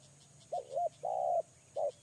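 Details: Spotted dove (tekukur), a decoy bird, gives soft, hollow coos: two short notes, a long drawn-out one, then another short note. A faint high insect trill runs underneath.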